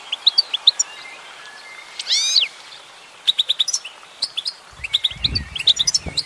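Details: Female goldfinch singing: crisp, evenly spaced high chirps, a quick burst of steeply rising sweeps, then more twittering over a few soft low thumps.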